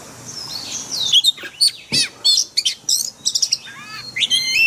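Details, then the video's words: White-rumped shama singing forest-style phrases, used daily to train caged birds: a descending whistled slur, then a quick series of sharp high notes and warbles, with a low thump in the background. "Luyện chòe than hót giọng rừng mỗi ngày"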